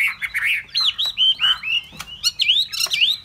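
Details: Bright, lively Hwamei song of quick looping whistles and slurred notes, delivered continuously with sweeping rises and falls and almost no pauses.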